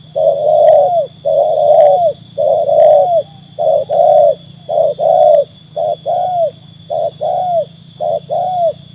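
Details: Spotted dove (tekukur), a trained bird tested against wild birds, delivering a dense run of mellow coos, about fourteen notes in short and long pairs, faster and tighter toward the end, with a constant low background hum.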